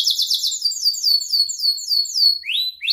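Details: Singing canary, a lure recording for young birds learning to sing: a rapid high trill flows into slower down-sweeping chirps, closing with a brisk rising note.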